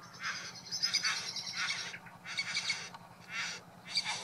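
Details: Male Satin Bowerbird in courtship display at his bower before a female; coarse, hissing-rasping bursts of about half a second, four or five in quick succession, with a faint low hum throughout.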